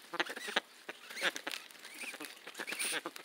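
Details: Pet Amazon parrot perched on a bag of popcorn, making noises while being petted by its owner: nasal, squawky harmonic calls with brief rising whistled notes, mixed with crackling clicks from the bag.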